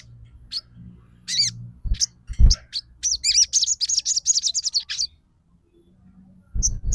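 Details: Bar-winged prinia song: bursts of high, sharp chirps, then a fast run of twittering notes over about two seconds, with low thumps and knocks in the background.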